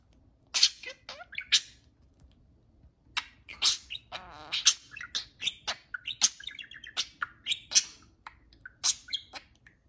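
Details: Indoor budgies talking to each other while flying loose in the home: a quick string of clicks, chirps and harsh squawks, growing denser after a short quiet start, with a low background hum.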